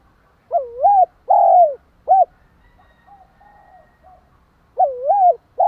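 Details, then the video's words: Decoy spotted dove cooing to provoke and stimulate another dove: mellow three-part phrases, a wavering double coo, a long falling coo, then a short clipped note, repeated twice with a gap of faint soft notes, on a quiet background. "Tiếng chim cu gáy kích bổi, tiếng gáy nghe ức chế."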